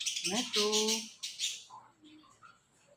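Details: Indian ringneck parrot giving a short run of voice-like, harmonic talking syllables, then a burst of high, harsh squawks and a few soft chirps fading out.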